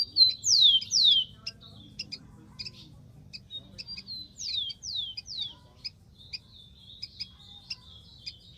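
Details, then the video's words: Free-living rufous-collared sparrow opening with two loud descending slurred whistles, followed by scattered sharp chips and a second group of three falling slurs. "BURUNG KICAU"SPARROW RUFOUS"(KICAU MANIA)Full Gacor di alam liar"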